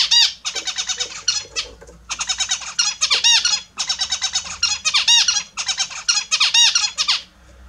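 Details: Australian zebra finches, kept birds, during their morning bath: bursts of loud nasal, honking calls with arched, harmonic-rich notes, rapidly repeated in groups separated by short pauses.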